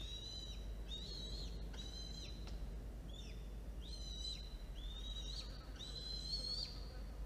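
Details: Feeding time at a falcon nest with two chicks, 1:54 p.m., 13 October 2022, after an adult delivered prey. Insistent, high whistled calls repeat roughly every second, some rising slightly before a sharp downward fall, with background hum.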